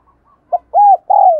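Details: Rapid 'thúc gù' coo of a spotted dove, used for training decoy birds and stirring wild doves to call: a short note, then a rounded coo and a longer coo sliding downward, clean and close.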